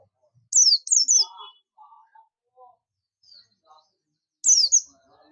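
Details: High descending double and triple chirps from a buxtomi Oriental white-eye calling for companions, with faint, lower twittering and scattered soft background sounds between the bursts.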